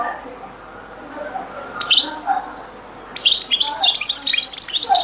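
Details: European goldfinch, very old Beni Messous 'les avocats' zaboka-style recording: a single high twittered note, a pause, then a lively second-long run of tinkling, chattering phrases.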